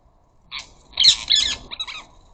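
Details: Ring-necked parakeets at a bird feeder, squawking loudly: a short flurry of harsh, grating screeches following a faint note, three or four raspy calls within a second.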